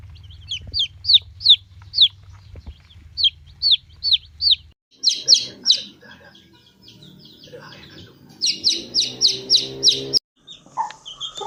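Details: Chick peeps in quick series: high downslurred notes in bursts of three or four, then louder grouped peeps around eight to ten seconds, with faint low hum early on.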